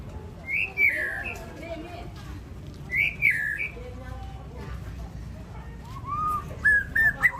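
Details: Champion white-rumped shama at a bird singing contest, giving loud whistled, slurred phrases around two seconds apart, ending in quicker rising notes, over steady low crowd and traffic rumble.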